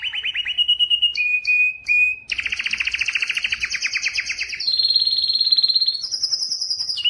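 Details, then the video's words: Yellow canary singing a varied song: a rising whistled note, short sharp chips, then fast buzzy trills at shifting pitches, each run lasting about a second or two. "yellow canary singing"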